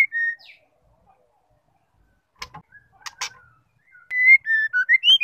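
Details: Female white-rumped shama gives clear, pure mid-high whistled notes ending in a run of varied rising and falling whistles, with short clicks and rattles between; a call used to provoke male shamas into singing.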